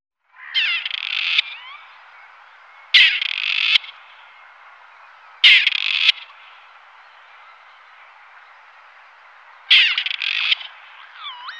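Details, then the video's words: Grey partridge (Perdix perdix) call and song: harsh, creaky, rasping calls like a rusty hinge, each under a second long, repeated every three to four seconds against a quiet background. "CANTO DE LA PERDIZ PARDILLA (Perdix perdix)"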